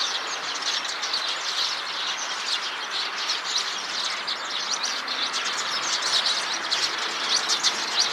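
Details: Many Eurasian tree sparrows gathered in a tree, chirping together; an unbroken chorus of rapid high chirps and twitters, individual calls blurring into a dense steady chatter with a few sharper notes near the end.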